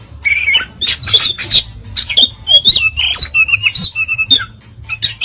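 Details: Singing Oriental magpie-robin giving harsh 'kasaran' material that provokes rivals to puff up. Loud broadband squawks alternate with clear whistled notes and slurred downward phrases, uneven in rhythm, with a low hum beneath.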